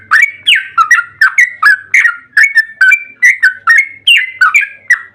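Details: Excited yellow-vented bulbul delivering a long, fast song series meant to provoke other bulbuls into singing: about two notes per second, each a liquid whistled slur dropping or rising, loud and regular, with a quiet low hum behind.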